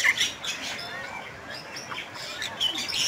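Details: A chatty Bali myna (Leucopsar rothschildi) gives a busy run of high chirps, harsh squawks and brief whistles, scattered without a steady rhythm, over a faint background hiss.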